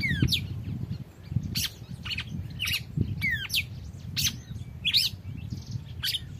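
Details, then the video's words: Red-cowled cardinal called Drácula, singing in free trial: bright whistled notes and quick chirps sliding down and up, bursts roughly every half second to second, with low rumbling background noise. "Galo de campina DRÁCULA na pegada livre"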